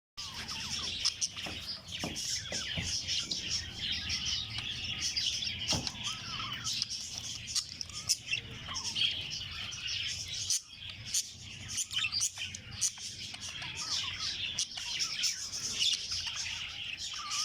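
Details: Male and female budgerigars kept for breeding chatter in a dense flock, a steady mix of high warbles, chirps and squeaks.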